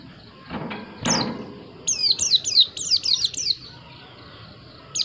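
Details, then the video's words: White-eye giving a rapid series of about eight high, thin, steeply descending whistled notes in roughly two seconds, after two dull knocks, followed by quiet with a final note at the end. "Dengar suara burung Pleci yg satu ini"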